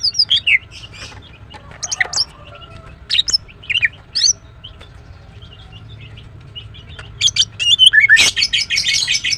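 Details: Female greater green leafbird calling in rapid, irregular chirps: brief sharp high notes and short slurs, building near the end into a dense, fast twittering run with a buzzy edge.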